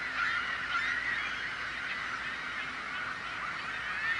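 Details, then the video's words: A crowd of seagulls making noise, many overlapping nasal cries blending into a continuous clamour with short yelping notes standing out early on. "The Sound of Seagulls | Why Are Seagulls So Noisy?"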